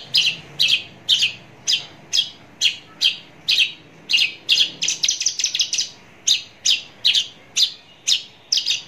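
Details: Close-up Javan bush lark song: a long, steady run of crisp high chirps, around two per second, with a brief faster trill in the middle, quiet background.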